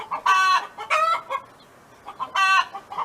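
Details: Hen belonging to a neighbour, farm setting: two long nasal squawks close together, a brief quiet spell with faint clucks, then another drawn-out squawk.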